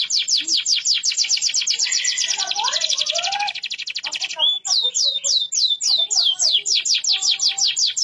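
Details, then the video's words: Canary, deep-yellow bird, sings a long rolling song of fast repeated high notes, a sustained trill, then a run of brisk downward-sweeping phrases. "kenari kuning pekat gacor ngerol panjang sampe aus"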